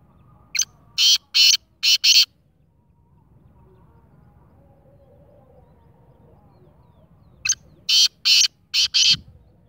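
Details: Harsh grating call of a black francolin (kala teetar), repeated: two phrases of four or five loud scratchy bursts each, separated by several seconds of quiet.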